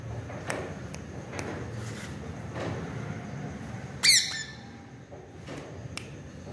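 A parrot gives one short, harsh squawk against quiet room noise, with a few faint clicks and knocks before and after.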